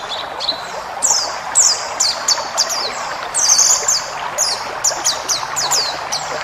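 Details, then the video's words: White-eye of the ngalas type singing a full-fill training song for caged birds: bright high whistles sweeping sharply downward, delivered in quick bursts with short pauses, over a constant soft hiss. "masteran burung pleci ngalas full isian"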